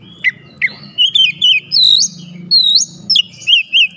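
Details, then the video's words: Caged white-rumped shama (kacer) in full song, with a varied series of loud whistled notes, short slurred phrases and rising sweeps, and quick repeated wavering notes near the end. A faint low hum sits underneath. "KACER LAIN LANGSUNG IKUT BOCOR ISIAN SUARA"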